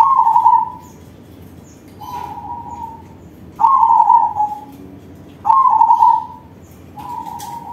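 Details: Crossbred zebra dove (perkutut crossing) singing in the big-voiced manggung style, used as a lure for other doves: five loud, mellow cooing phrases, each about a second long, repeated roughly every one and a half to two seconds over quiet background hiss.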